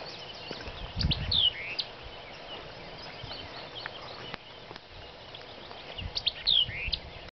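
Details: White-eyed vireo (Vireo griseus) singing at Neal Smith NWR, Prairie City, Iowa: two brief, bright phrases about five seconds apart, each a sharp high note slurring downward, over a steady wash of outdoor noise.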